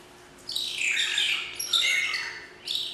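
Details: A magpie shrike at the Philadelphia Zoo sings bright, high, slurred whistles, almost shrieking, in two long phrases and a short third burst, with a quiet background.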